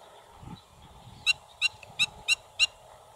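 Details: Black-winged stilt at Pont de Gau, calling with five sharp, nasal yapping 'kek' notes, about three per second, over a faint low rumble.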